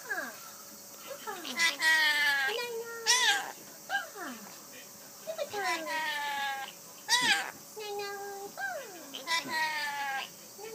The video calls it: Rainbow Lorikeet speaking いないいな〜いばぁ〜！